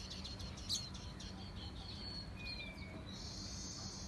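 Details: Faint bird chirping over a low background hum: a sharp tweet early on, a thin falling whistle midway, then a soft continuous twittering toward the end.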